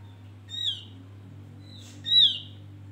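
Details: Javan grey-throated white-eye calling on a lure recording meant to prompt other birds: two high, slurred whistled notes about 1.5 seconds apart with a soft buzzy note between, over a steady low electrical hum; Javan grey-throated white-eye.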